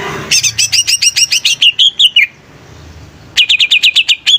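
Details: Greater green leafbird singing in quick bursts of high, crisp, repeated chirping notes that slur downward, a brief quiet gap, then a renewed rapid series of sharp bright notes.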